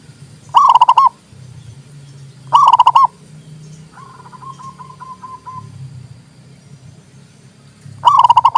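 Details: Song of a zebra dove, used to stimulate other doves and for luring. Two strong stuttering coo phrases, then a quieter distant series of short coos, and one more loud phrase near the end.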